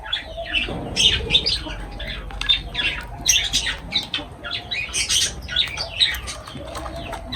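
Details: Lovebirds feeding, with steady strings of shrill, buzzy squawks and chattering chirps, evenly spread over the recording, and little other sound.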